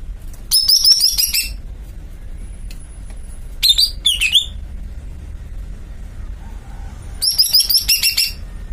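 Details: Greater green leafbird uttering high, sharp trilled bursts, a pair of swooping whistles mid-way and a final quick run of chips, separated by pauses over faint low background noise.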